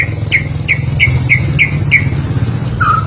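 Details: White-rumped shama training song: six sharp, down-slurred whistled notes repeated about every third of a second, then a lower falling note, over a steady engine-like hum.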